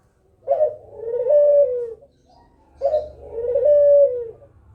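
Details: Kugeruk call used as bait so other birds respond: two low, hoarse cooing phrases, each a short burst and then a long falling coo, repeated after about two seconds.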